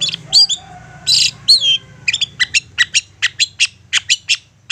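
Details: Lure song of a long-tailed shrike meant to draw replies from other shrikes: harsh noisy bursts and slurred whistles, followed by a long string of short, evenly spaced ticking notes.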